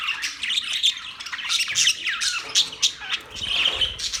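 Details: Chattering budgerigars, October 11, 2023: a steady mix of twittering notes, brief whistles and harsh squawks, with several birds calling at once.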